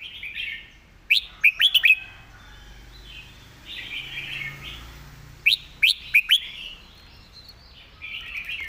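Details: Red-whiskered bulbul master song, neatly phrased and clear. Two emphatic phrases of four or five quick, ringing whistled notes, the first near 1.5 s and the second near 6 s, separated by gentle background warbling.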